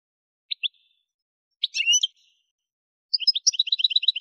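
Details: Algerian goldfinch (subspecies parva) from Kef El Hammam, Souk Ahras region, Algeria: two short high chirps, then a brief twittered phrase, then a quick run of rapidly repeated high tinkling notes. Background is otherwise silent.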